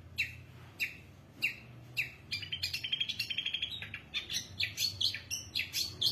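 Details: Singing long-tailed shrike: a few spaced, sharp downslurred notes, then a quickening series of rapid high chirps and twittering phrases, richly varied, over a faint low hum.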